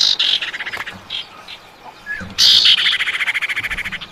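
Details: A female common iora calling for the male: quick chips and a short whistled slur, then a loud harsh note running into a fast regular rattling trill lasting over a second, with faint low noise.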